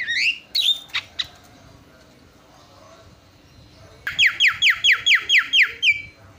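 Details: Javan myna song used as a master song to provoke other birds into song: a few sharp whistled and clicking calls, a quiet pause, then a rapid run of about nine bright descending whistled notes.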